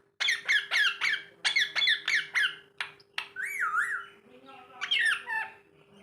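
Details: A pet green rose-ringed parakeet talks in a bright, nasal, harsh voice, rattling off short syllables like "mitthu" in a quick series, then drawn-out whistled, wavering phrases.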